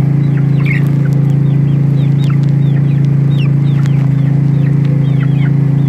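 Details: Twelve young domestic chicks, four each of Barred Rock, Rhode Island Red and Sex-link, recorded on 3-12-2016: many thin, high, downward-arching peeps in a continuous chorus over a loud, steady low mechanical hum.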